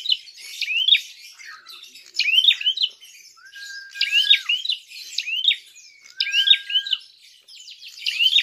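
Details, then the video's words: Fighting call of a prinia, played to provoke other birds: paired sharp chirps that dip and climb, given in clusters about every two seconds, with long level whistles between some clusters. "Prenjak tarung gacor!!"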